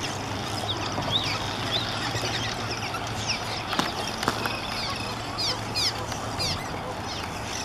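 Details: Hundreds of cliff swallows building mud nests in April in Redding, California: many short, squeaky, twisting chirps overlapping from across the colony over a steady loud rushing background.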